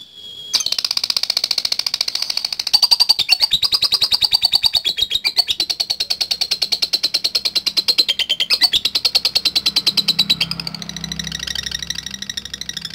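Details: Lovebird, described as a frequent singer used to call out rivals in bird contests, giving a long, fast run of high, scratchy chattering notes at a steady pulse, pitch dipping slightly near the end, indoors.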